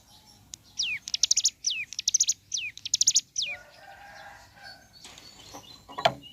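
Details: Mountain leaf warbler (ciblek gunung) in full morning song: several steeply falling whistles mixed with dense high stuttering chips, then a quieter low warbling and a sharp click near the end.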